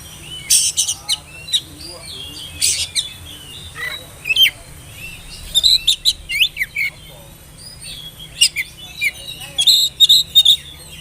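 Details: Oriental magpie-robin, a young spotted bird, singing as a lure for young birds. Its song is lively and almost continuous, made of rapid high chirps, trills and short whistles in dense clusters, over a faint low hum.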